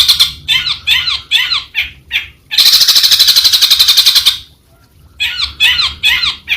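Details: Long-tailed shrike alternating rough, descending chattered notes with a long, even rattle of rapid harsh pulses, then a short silence and more grating phrases.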